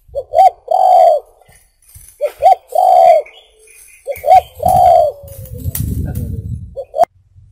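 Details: Spotted dove song, recorded for luring birds: three phrases, each two short quick coos then a drawn-out mellow coo, about two seconds apart. Faint high chirps of other birds sound behind, and a brief low rumble and a click come near the end.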